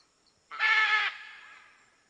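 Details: A single macaw squawk in natural surroundings: a loud, grating, rasping screech of about half a second that fades quickly into silence.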